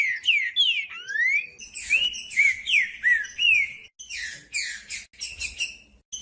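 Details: Green-winged saltator singing its 'macheando' male song, used to stimulate and warm up other males: a run of clear, slurred whistles, some rising and some falling, repeated rapidly, then a burst of buzzier, harsher notes toward the end.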